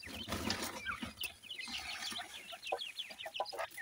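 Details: Two grey francolin chicks, quiet at first under rustling and handling noise, then a quick series of thin, high, slurred peeps.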